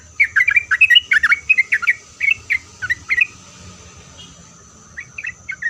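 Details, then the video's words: Sooty-headed bulbul pouring out a quick sequence of chirpy, warbled notes that thin out, pause, then resume briefly, sung to get other bulbuls to respond; a steady high-pitched whine runs underneath. "Kicauan Trucuk Gacor Ini Membuat Trucuk Apapun Pasti Langsung Nyaut buat Trucuk satu pasar Ribut.."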